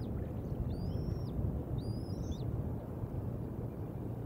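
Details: Two bald eagle eaglets at the Decorah North nest on April 5, 2021, filmed by a live nest camera during a peaceful feeding with big bites. Two thin, high whistled notes rise, hold and drop, over a steady low rumble.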